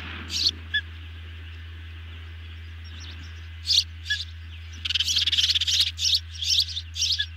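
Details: Ospreys on a nest camera during a big evening dinner delivery, 18 June 2020. Bursts of high, sharp chirps: two early calls, then a dense run of rapid chirps near the end, over steady low background hum.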